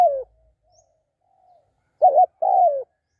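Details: ['Spotted dove: a falling coo ends, a faint distant coo follows, then one close phrase of a short warbled note and a longer coo easing downward.']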